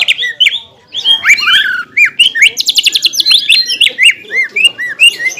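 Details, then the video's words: Greater green leafbird (cucak ijo) of champion class in tutor song, full of varied phrases: quick slurred whistles and chirps jump up and down, a short buzzy rattle in the middle, then curved whistled notes. "MASTERAN CUCAK IJO KELAS JUARA ISIAN MEWAH DAN TEMBAKAN KASAR SANG FIGHTER"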